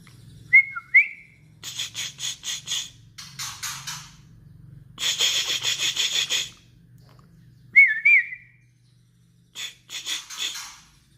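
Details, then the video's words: White-rumped shama giving kretekan, a crackling song used to provoke agitation: clear bent whistles alternate with bursts of harsh, rapid rattling chatter in separate phrases, over a low steady hum. "kretekkan burung murai baru memancing emosi"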